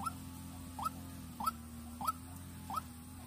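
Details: White-breasted waterhen kept as a luring decoy in Vĩnh Long, Vietnam: five sharp rising notes spaced about 0.65 seconds apart, set against a low persistent hum.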